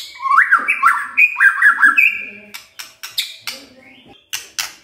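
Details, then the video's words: Kretekan from a white-rumped shama, meant to stir up emotion: two seconds of quick rising and falling whistled slurs, followed by spaced sharp clicks and a faint, thin rising whistle. "KRETEKAN MURAI BATU pendongkrak EMOSI✅✅ shama bird✅"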